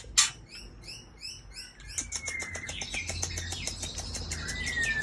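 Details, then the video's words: Song of a white-rumped shama from Aceh: it begins with a quick series of short, high, chirping notes, then turns into a dense, jumbled warble with a long thin whistle over a low background hum. "Murai Aceh"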